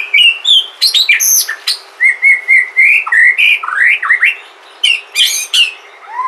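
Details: White-rumped shama from Sumatra, natural song used as a lure to prompt other shamas to sing: loud, varied phrases of clear whistles, rising and falling slurs and sharp high notes, delivered rapidly with short pauses.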